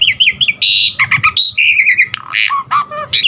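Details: Vigorous, richly varied song of an Asian pied starling (jalak suren), used as training material for caged birds: wavering whistles, a harsh noisy burst, descending slurs and scattered squeaky notes in quick succession.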